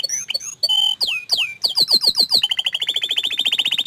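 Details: Hidden canary singing a varied phrase: a few whistled notes, loud downward-sweeping slurs, then a rapid high rolling trill.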